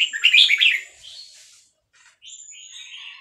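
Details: Excited caged red-whiskered bulbul of Vietnamese stock, answering a played recording of hatched chicks with fast-linked song. A loud, quick warbled burst opens, a short pause follows, then softer whistled notes and a thin, high, drawn-out tone.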